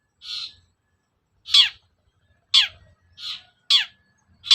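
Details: Long-tailed shrike provocation sound meant to make a shrike excited and answer. Softer hoarse notes alternate with sharper, harsher downslurred ones, about six notes in under five seconds.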